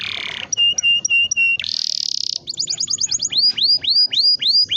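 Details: Canary in full rolling song, used to prompt young or reluctant canaries to sing: a buzzy high burst, steady whistled notes, another harsh buzz, then a quick trill and a series of rising-then-falling swooping notes.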